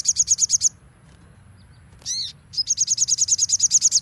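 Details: Crimson sunbird nembak song for training: a fast run of high sharp repeated notes, a pause broken by one harsh buzzy note, then another long rapid trill of shrill notes.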